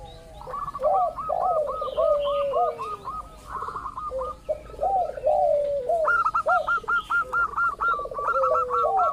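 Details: Local zebra dove used as a lure to draw other doves into calling: rapid staccato cooing notes repeated about twice per second, with lower, drawn-out descending coos and warbled phrases woven between them.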